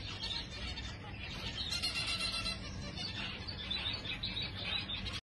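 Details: Zebra finches chattering continuously with dense, overlapping high-pitched nasal chirps and twitters from several birds, steady throughout, with a faint low hum underneath.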